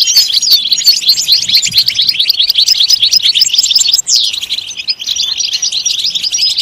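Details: {'caption': 'Goldfinch song to stimulate singing in other goldfinches, an energetic, fast twitter of high chirps with one long descending slur near the middle, then renewed chatter.'}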